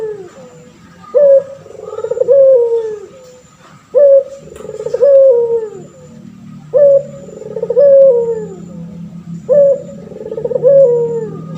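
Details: Male pelung turtle dove, a caged bird kept for training other birds, calling steadily: a short rising note followed by a long, gently falling coo, the pair repeated about every two and a half seconds with a low hum behind.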